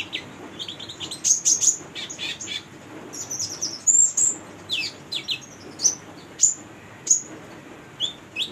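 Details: Female brown-throated sunbird singing energetically, kept as a tutor and lure for young birds: rapid, very high, thin chirps and short sweeping notes in quick bursts, some sharp ringing whistles, with steady faint hiss behind.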